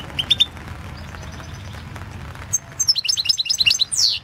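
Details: European goldfinch in a 2016 world championship song competition recording: a few scattered high chirps, then a lively rising-and-falling twittering run closing with a sweeping slur.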